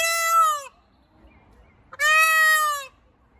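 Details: An angry peacock calls twice, a brief loud blaring cry followed a second later by a longer, slightly falling one, both harsh and strongly harmonic, with near silence between.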